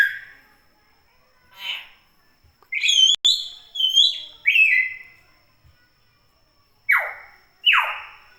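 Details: A chatty common hill myna gives a mix of clear whistles and harsh calls, with a quick run of high whistled notes in the middle and two loud, falling screeches near the end.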